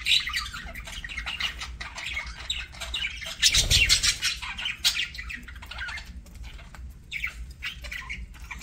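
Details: Pet parakeet during a meal: rapid scratchy chattering and short squawks run throughout, with a louder burst of broadband crackling near the middle, likely seed-cracking or movement.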